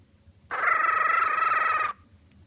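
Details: Happy pet cockatiel giving a single steady, slightly wavering nasal note lasting about a second and a half, with quiet before and after.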